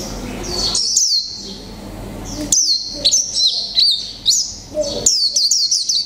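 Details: Mộc tinh white-eye kept one month in a cage delivers its 'líu pha chòe trống' song, bursts of thin high whistles and sharp flicked chirps separated by short pauses, with low background hum.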